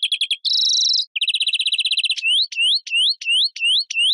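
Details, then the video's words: European greenfinch: a few quick notes, a buzzy wheeze, a long fast trill, then repeated rising whistled notes, each sweeping upward, spaced about every third of a second. "Carduelis Chloris Verderon song"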